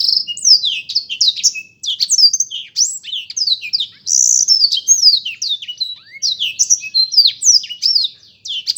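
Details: Lively, sustained warbling from a black-throated canary: dense strings of high descending whistles, brief buzzy passages and crisp chips, with a couple of very short breaks.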